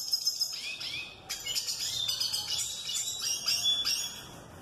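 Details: Male tarim courting a female with a quick, high-pitched twittering song of bright trills and short whistled sweeps, running almost continuously.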